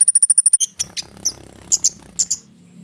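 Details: Konin bird in full song, used as a lure to prompt hummingbirds and other birds to respond: a fast run of eight identical high ticking notes, then scattered sharp chirps and short bright phrases over a faint low hum.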